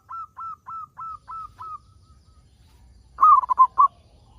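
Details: Zebra dove, local type, singing strongly as a lure for other zebra doves. Six evenly spaced, gentle coos come about every quarter second. After a short silence, a loud burst of four or five rolling notes follows.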